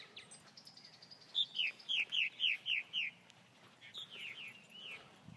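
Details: Purple martin, county bird of Elbert County, Georgia, giving a rapid series of bright, falling chirps, about four per second, then a softer cluster of gurgling notes near the end.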